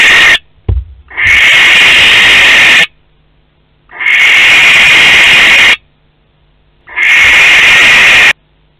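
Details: Three evenly spaced barn owl screeches, each a raspy hiss of nearly two seconds with silence between, from a pair visiting a nest box at Théding on 12 May 2020; a knock precedes the first.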